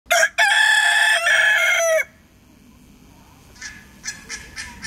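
A bantam rooster gives one loud, high, strained crow lasting nearly two seconds and dropping at the end, followed by soft, scattered clucks.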